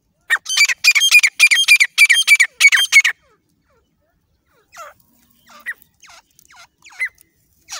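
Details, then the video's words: Hunting lure call of a partridge in jungle: a fast, loud string of harsh repeated notes for three seconds, then a pause and softer, widely spaced falling notes. "Trap of teeter hunting partridge"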